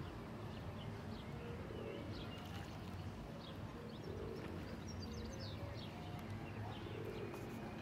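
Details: A feral domestic pigeon (Columba livia domestica) in Ljubljana, Slovenia, at Špica on 9 June 2023 gives soft, low, rolling coos every couple of seconds over a steady low rumble, with faint chirps from small birds.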